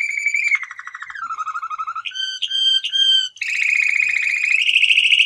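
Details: Male canary song. A rapid buzzy roll drops to a lower trill, then come several clear, separate whistled notes, followed by a long, fast rolling trill that rises at the end. The song is continuous and loud throughout.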